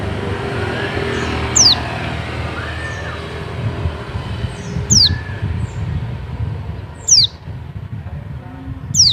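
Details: High, thin, downslurred whistles from an Oriental white-eye in Bali, a dakun call for luring other white-eyes, given at uneven intervals of two to three seconds over steady road traffic noise.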